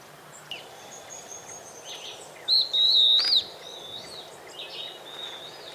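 A pair of stripe-backed antbirds: one loud, high, wavering whistled phrase lasting about a second, with fainter thin whistles from other birds around it.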